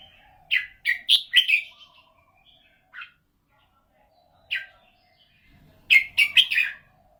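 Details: Red-whiskered bulbul kept as a cage bird, praised for a golden voice: bright warbled phrases of quick chirping notes rising and falling, given in bursts with gaps of a second or more, over a faint low hum.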